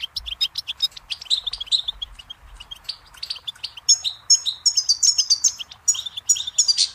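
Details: Goldfinch song: fast, jangling twitter of high chirps and short buzzy notes, denser and louder toward the end, with no other sounds standing out.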